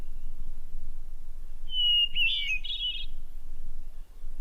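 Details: Hermit thrush song, the bird singing melody and harmony at once: one long, pure, steady whistle, then a quick ethereal fluting flourish that rises and swirls, over a faint low hum.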